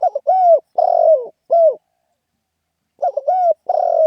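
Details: Spotted dove cooing in the lively 'khan yon' style: two phrases, each a quick stuttered double note, a long level coo sliding down at the end, then a shorter closing coo, with a pause of about a second between them.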